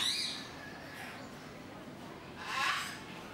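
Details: Sulphur-crested cockatoo making two loud, harsh screeching bursts, one at the start and one near the end, separated by a quieter stretch of low background noise.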